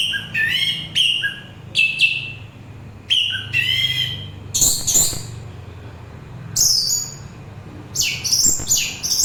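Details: Orange-headed thrush singing, for relaxation and as bait for thrushes and other birds: lively, varied phrases of slurred whistles, chattering notes and very high squeaky bursts, with short gaps between them.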